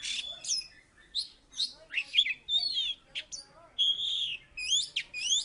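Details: Singing Oriental magpie-robin from Salatiga, a former third-place champion, giving loud separate bursts of shrill whistles and buzzy slurred notes with short gaps between them.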